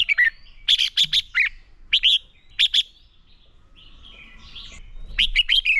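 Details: Red-whiskered bulbul fighting song for training: bursts of bright chirped and warbled notes in quick clusters, a quieter soft warbling passage, then a final loud chirped phrase.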